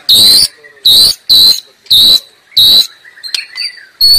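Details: White-rumped shama in the wild: harsh, loud buzzy bursts about half a second long, repeated with gaps, and faint thin whistles between.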